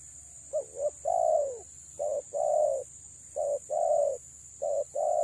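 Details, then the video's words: Female spotted dove luring males with repeated low cooing: paired short hoots followed by a long, slightly falling coo, the phrases coming close together, roughly one per second, over steady high-pitched hiss. "BURUNG TEKUKUR BETINA PREM4N MENGH4JAR PIKAT"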